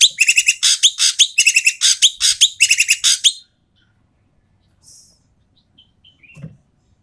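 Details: Asian pied starling calling loudly and coarsely, used as a lure to get reluctant starlings to sing: about three seconds of rapid, rasping, repeated chatter notes, followed by quiet with faint distant chirps and a soft knock.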